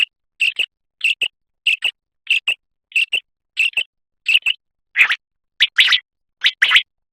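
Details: Common quail (batair) singing: a regular series of crisp, high paired notes about twice per second, growing louder and rougher toward the end. No background.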